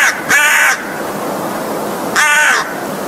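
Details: An American crow (Corvus brachyrhynchos) gives two harsh, nasal caws about two seconds apart, each lasting under half a second, over a steady low background hiss.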